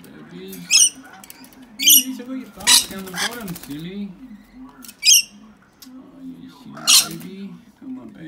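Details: Pair of young wild rescue rainbow lorikeets splashing in a drinking dish inside their cage, giving short grating squawks at irregular intervals amid water splashes and a low wavering hum.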